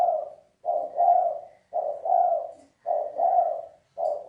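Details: Spotted dove (cu gáy) cooing thúc bổi style, rhythmic low hoots in repeated two-part phrases, each about a second long, roughly one per second, clear and close.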